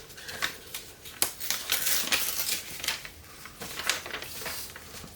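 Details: Irregular clicks, crinkles and clattering taps in a small room, like paper being handled and objects knocked, with no animal voice.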